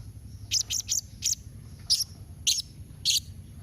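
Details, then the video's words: Blue-crowned hanging parrot calling to prompt other hanging parrots to reply; seven hard, high, slightly buzzy chips at uneven intervals over a quiet background rumble. "Kombinasi Suara SERINDIT MEMANGGIL NEMBAK Mbeset Seperti ni Jadikan Srindit Anda Nyaut Tambah GACOR"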